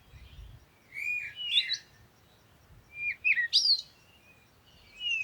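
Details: Bird singing loud, sweeping whistled notes and rapid chirps in two main bursts, some phrases sliding sharply upward, over a steady soft hiss of background noise.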